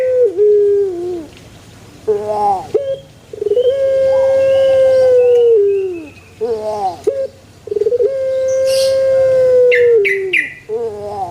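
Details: Puter pelung heard in a banana garden, giving long level mid-pitched calls that sag at the end, separated by short wavering notes, with brief high chirps near the end.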